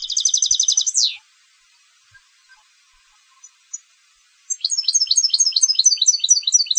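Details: European goldfinch of competition stock finishing a dense trilled phrase with a sharp downward sweep, then near silence with a few faint soft notes, before a new bout of quick, high, liquid twitters resumes.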